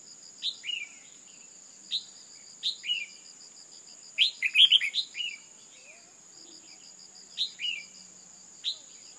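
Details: Female red-whiskered bulbul calling to excite males: short bright chirps sliding downward, often paired, in scattered bursts with a quick cluster near the middle, over a steady high insect whine and pulsing cricket chirps.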